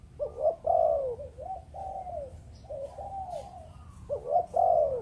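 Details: Spotted dove, Malaysian breeding line, in 'Chụp Chụp Ô' voice. Mellow, throaty coos run together in a rolling phrase, with loud swelling notes at the start and end and quieter ones between.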